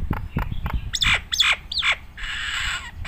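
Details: Nias hill myna in energetic varied song for training other mynas: a few low knocks, then three loud harsh squawking downslurs and a sustained raspy hiss at the end.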